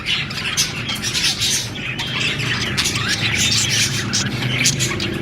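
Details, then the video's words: Budgies chirping loudly, harsh squawks and warbling phrases overlapping densely, with a few sliding notes and a steady low hum beneath. "Beautiful budgie parrot chirping sound"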